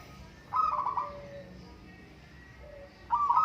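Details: Local zebra dove in a singing contest, a bubbling trilled coo, a quiet pause with faint soft notes, then the next phrase beginning.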